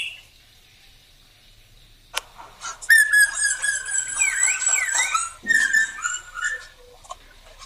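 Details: Lure song of a male Black drongo for drawing other birds into song: after quiet and a sharp click, sustained harmonic notes with swooping, looping inflections and a louder harsh burst near the end.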